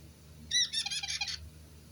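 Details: White-bellied caique parrot, recorded 11 April 2022, lets out a shrill, squeaky burst lasting under a second, a rapid run of harsh scratchy pulses with high whistled overtones, in a quiet indoor setting with a low hum.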